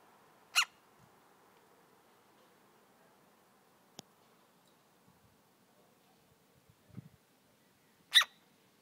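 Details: A rescued woodpecker chick, already fed more milk than it could drink, gives two harsh, rasping "barking" begging squawks about seven seconds apart, with a faint click and a soft thump between them.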